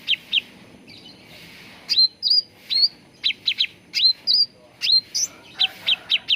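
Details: Cucak ranting bulbul, a master song for training birds to sing: clipped high chirps mixed with repeated upslurred whistles ending in level tones, closing with a rapid run of chirps.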